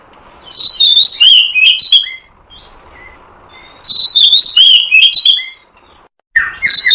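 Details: Oriental magpie-robin, local name kacer, used as a lure to attract wild birds; loud clear whistled phrases with sweeping slurred notes and high chirps in bursts separated by quiet pauses.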